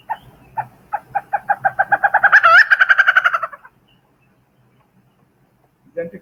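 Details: A Malabar Grey Hornbill in Mollem, Goa, gives its unique call, like a small kid laughing: a cackling run of harsh notes, about four per second, swelling louder and higher midway and then fading, followed by a brief voice.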